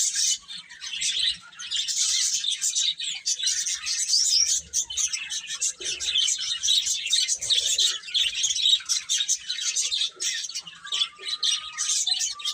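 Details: Baby chicks eating and playing, a dense, continuous chorus of high, rapid peeps overlapping without pause, with brief dips in loudness and a faint low tone near the end.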